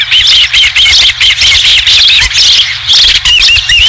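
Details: Osprey at a nest on Dunrovin Ranch, 20 July 2016, returning with the first fish. Loud, shrill whistled chirps repeat rapidly in bursts, each a short, slightly bent note, with brief gaps between series.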